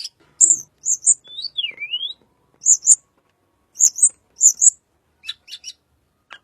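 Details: Little pied flycatcher, sound used to lure white-rumped shama: high doubled chirps repeated in pairs, a swooping whistle that falls and rises, and faint scattered ticks at the end.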